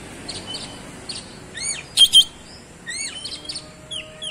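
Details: Oriental magpie-robin in full gacor song, rolling fast through its isian: spaced high chips, upward-slurred whistles and a pair of loud sharp notes midway, over a low steady hum.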